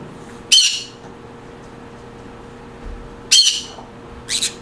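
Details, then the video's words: Green conure sounds to create a happy mood: three loud, raspy screeches spaced a few seconds apart, the last shorter and softer, against quiet indoor room hum. "Green Conure Sounds. Creates Happy mood"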